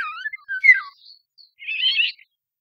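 Eurasian golden oriole: a few liquid, fluting whistles that slide up and down, then a harsh, rasping screech about a second later.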